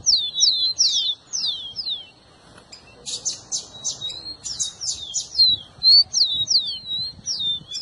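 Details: High, sweet rufous-collared sparrow song for prompting a pet bird to sing: repeated falling whistled slurs, a pause, then denser buzzy notes mixed with more down-sliding whistles.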